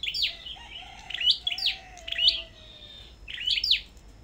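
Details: A red-headed songbird at a Vietnamese bird farm, singing competitively, gives sharp, high, squeaky bursts of twittering about once a second, with a fainter, low drawn-out whistle underneath.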